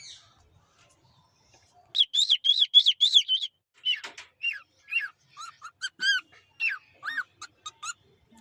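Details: Pet cockatiel, unedited real voice, with a female cockatiel sitting nearby: a quick run of bright, ringing chirps, then a looser series of shorter, slightly falling whistled notes, high and clear, about four per second.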